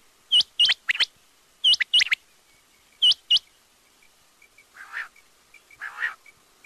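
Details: Quail calling with loud, hooked, upward-flicking chirps in pairs, followed by two lower, harsher, rasping notes near the end.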